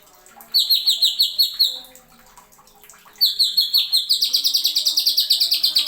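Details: Greater green leafbird (cucak ijo) used as a tutor recording, 'nembak' style with sharp fill-ins: a quick burst of high repeated chirps, a short pause, then a longer, accelerating stream of shrill notes.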